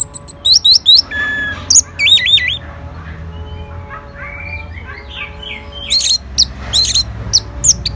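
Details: Orange-headed thrush reacting to a lure: lively, varied song of quick high whistles, wavering warbled phrases and mixed chirps, with softer lower notes between the louder bursts.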